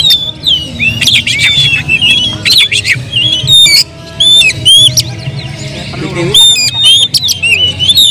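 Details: Agitated oriental magpie-robin song used as a lure to provoke other birds: loud clear whistles mixed with harsh rasping bursts and quick chattering notes, over a steady low hum.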